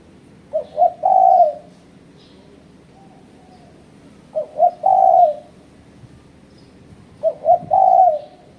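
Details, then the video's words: Spotted dove calling to challenge rivals, used as a lure: three phrases roughly three seconds apart. Each phrase has two brief low coos followed by a longer, level coo, with little background noise. "Suara Burung Terkuku Menekan Lawan Ampuh untuk Pancingan"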